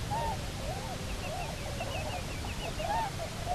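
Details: Bermuda petrel pair returned to Nonsuch Island, 29 October 2018: a few wavering moaning calls at the start and end, with a higher, rapidly undulating trill through the middle, over background rumble of wind.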